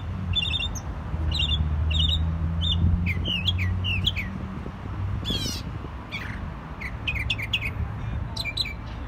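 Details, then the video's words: A jay gives a quick, varied run of short chirps and squeaky notes, several each second, over a steady low mechanical hum. "Jay Bird Singing"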